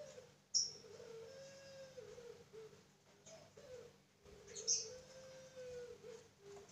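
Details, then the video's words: Farm-bred puter pelung Barbary dove kept in captivity, giving long, steady, low tonal coos that hold one pitch and repeat in a series, separated by short gaps, with faint higher chirping in the background. "Puter Pelung Paud"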